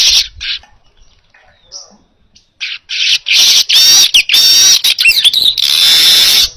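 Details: Baya weaver singing vigorously in a recording meant for training other birds: bursts of loud, wheezy, buzzing chatter, repeated rapidly and broken by brief pauses, with high hissing notes running through the louder stretches.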